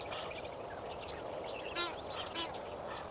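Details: Lesser flamingos at sunrise at Kamfers Dam, 18 May 2024: a murmuring flock chorus broken by two louder, harsh goose-like honks near the end, over steady background hiss.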